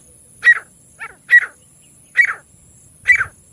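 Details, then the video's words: Partridge (teetar/francolin) gives short, harsh, raspy calls, five in under four seconds, roughly one a second, over a thin, steady high-pitched whine. "partridge voice"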